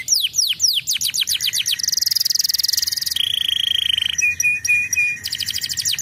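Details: Canary song to make young canaries start singing: descending chirps, then a buzzy high trill, a lower steady trill, short pure notes and a final burst of rapid chips.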